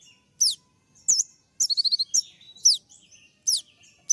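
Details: Kolibri ninja sunbird in 'tembak' singing with full fills, courting a female. Piercing downward-sweeping whistles spaced about half a second apart, broken once by a short fast burst of clipped repeated notes.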